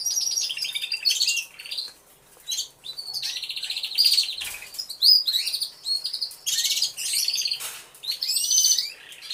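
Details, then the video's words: Canaries in an aviary all singing at once, recorded on a hidden camera. Long rolling trills, sharp rising whistles and rapid chip series overlap for several seconds, dipping briefly then resuming. "CANTO DE CANARIOS"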